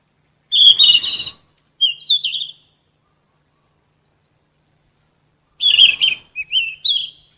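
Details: A golden flycatcher (Sikatan emas, genus Ficedula) sings two high, sweet phrases several seconds apart, each a scratchy burst running into a quick warbled whistle; nothing else is heard.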